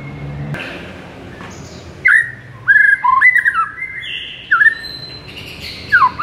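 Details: Master recording of white-rumped shama song played to rouse a silent bird: scattered whistled phrases with sliding notes, some dropping sharply, separated by brief gaps over faint background noise.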